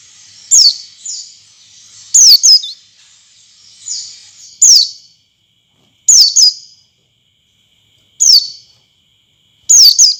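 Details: Oriental white-eye lure sound meant to prompt other white-eyes to sing and open their beaks: high, thin, sharply descending chirps in short bursts, a few seconds apart, with soft fainter notes between them.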